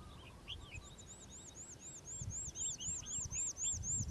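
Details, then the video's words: Calandra lark singing in the morning: a fast, steady run of high, arched whistled notes repeated about four times a second, with lower chirps and twitters in the first half. "Calandra Lark Bird Singing In The Morning"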